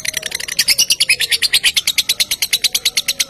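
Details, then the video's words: Lovebird lure sound used to draw other lovebirds into singing. A rapid string of shrill, buzzy chatter notes is repeated about three times a second, steady and insistent, with faint lower tones underneath. "Langsung Lovebird Anda Ikutan Narik Bila Mendengar Suara Pancingan Ini"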